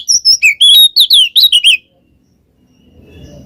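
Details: Ngeplong-style song of an Oriental magpie-robin with ngekek chatter, meant to prompt a reluctant bird to sing: about a dozen bright, piercing whistled notes packed into under two seconds, then quiet with a low murmur of background noise.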